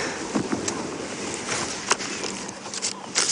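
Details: Broadband outdoor noise with scattered clicks and rustles, likely from a moving vehicle, and no clear animal call.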